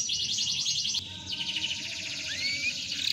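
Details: Canary of F1 SF type, a lively singer used as a lure to draw song from other canaries: dense rapid buzzy trills repeated in fast bursts, broken by a short pause, one rising whistle near the end, background hum.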